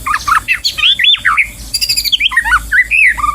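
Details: A white-rumped shama in the wild during trapping delivers dense, fast, varied whistles and warbles: swooping, looping notes tumble together with brief harsh rattles mixed in.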